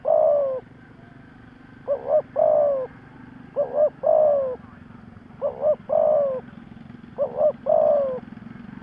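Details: Low mellow cooing of a decoy spotted dove meant to provoke wild doves: five phrases, each a short fluttering double note then a longer coo, spaced about 1.7 seconds apart over faint background hum.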